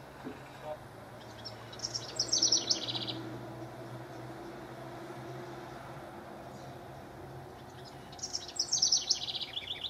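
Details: House wren song recorded between 6/12 and 6/24/15 with rivals present: two bubbly, high, descending chattering bursts about six seconds apart over a low steady background hum.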